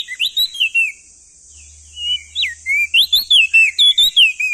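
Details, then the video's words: Crested white-eye male, endemic to East Nusa Tenggara, sings a lively string of swooping whistled notes, a short gap, then a faster rapid series, while a steady high hiss continues behind. "Masteran Burung Opior Jambul Muda Biar Cepat Gacor Rajin Bunyi Siang Malam"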